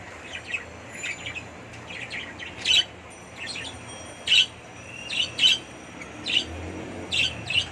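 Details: Budgerigars kept in an indoor colony breeding setup in Bangladesh, chattering with soft warbled notes and sharp chirps at irregular intervals.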